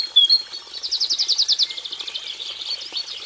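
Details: Cinereous tit song variation: a brief high whistle, then a fast, slightly buzzy trill of rapidly repeated notes that fades toward the end.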